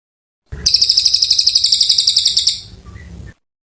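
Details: An Oriental white-eye sings a long, persistent song that suits tutoring magpie-robins. It delivers a rapid, even, very high buzzy trill of about twenty pulses over two seconds, which fades into a softer twitter.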